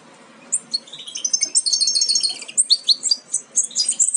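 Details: European goldfinch young nearly ready to jump from the nest, bred from Major aminet carrier and Parva Ancestral: a dense chorus of high, chattering chirps building after a quiet start, then separate bright tweets.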